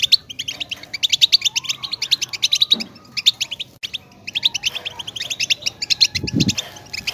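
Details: European goldfinch song: rapid liquid twitters and trills in quick bursts separated by short gaps, one faint slurred lower note mid-phrase and a soft low knock near the end.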